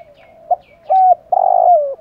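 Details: A spotted dove calling to stimulate decoy birds: a quick soft note, then a flat level coo, then a long rough buzzing coo that slides down at the end, low-pitched and close.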